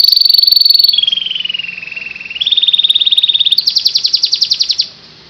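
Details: Canary in full, vigorous song: a long pure whistled tone that dips and levels, then a steady rapid rolling trill, ending in a faster, higher pulsing trill before stopping.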